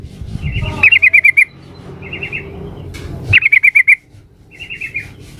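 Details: Female sooty-headed bulbul calling the male as a lure: several bursts of five to six rapid, sharp chirps, some louder and some softer, spaced about a second or two apart.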